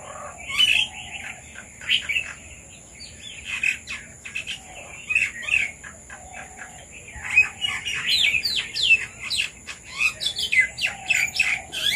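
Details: Several red-vented bulbuls come to feed on papaya, giving quick, bubbly chirps in clustered bursts through the whole stretch, often overlapping, with a steady high thin whine running in the background.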